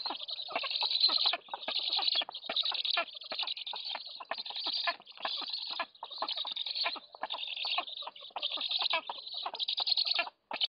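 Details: At a nest in Łódź, Poland, black stork chicks beg for food on a July morning: rapid bursts of high, hoarse, rasping notes in pulses about a second long, separated by brief pauses.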